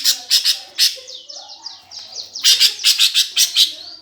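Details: Greater green leafbird fighting song used to provoke contest birds: loud grating chatter notes, a quick descending series of high whistled slurs, then more rapid rasping bursts.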